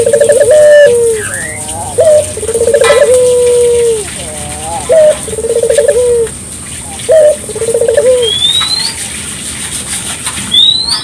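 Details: Local spotted dove recorded clearly for use as a lure, morning, midday or night: a short cooing note, a rolling trill and a long falling coo near 500, phrase repeated about every two seconds, with faint higher chirps from other birds.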